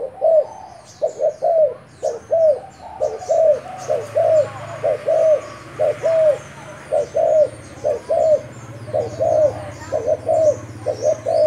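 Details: Decoy-calling spotted dove of Thai type giving a continuous run of low, hollow coo pairs at a steady pace, accompanied by a chorus of faint high chirping birds and a low hum.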